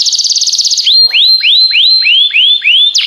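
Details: Canary song: a quick high rolling trill opens, followed by a series of rising upslurred whistled notes repeated about three times per second.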